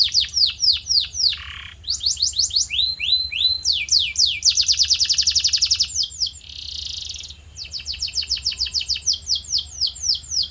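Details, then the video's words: Canary song as training audio to shape a kept canary's singing: repeated downslurred whistles, a low buzzy note, fast rattling trills, a harsh broad buzz, then a long even series of falling notes. "Special Audio to Shape Your Canary's Voice Character"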